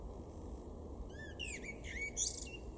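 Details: A male Common Blackbird in a garden in Weener, East Frisia, northwest Germany, in April 2022 sings a short, mellow, fluty warble rising into a thin, squeaky twitter, over a steady low background rumble.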